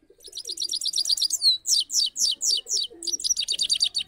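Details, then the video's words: Caged, trained saffron finch in full song: rapid runs of high, sharp chirps, a brief down-slurred whistle, then slower strong buzzy notes, closing with a fast stuttering series of bright chips, with no other sounds. "Gold Finch Singing /Saira Singing"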